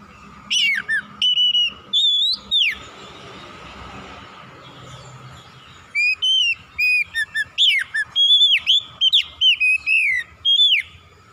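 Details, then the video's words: White-rumped shama in strong, loud song, bursts of rapid whistled and slurred notes, rising and falling, a quiet gap mid-way before a fast run of repeated phrases. "KICAUAN KACER POWER KERAS"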